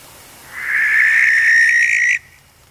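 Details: Barn owl recorded in the wild at night gives one harsh, raspy, hissing scream, like a person in distress. It is held steady for about a second and a half, then cut off abruptly, with nothing else heard.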